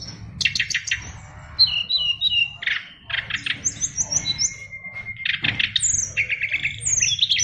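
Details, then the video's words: Oriental magpie-robin kept as a caged fighter bird delivering a rich, varied song of sharp chips, buzzy notes, a long steady whistle, and fast repeated high trills, loud and close over low background rumble. "SRDC Fighter isian luber"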